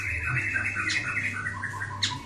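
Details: Ashy tailorbird singing a quick run of short, bright notes that rise and fall in a steady, bouncing series, with a sharp high accent near the end over a low constant indoor hum.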